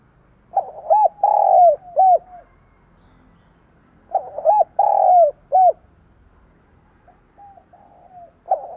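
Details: Two separate bursts of spotted dove song, each a cluster of mellow looping coos with a drawn-out middle note, spaced about four seconds apart, with softer fragmentary coos trailing afterward in a quiet setting.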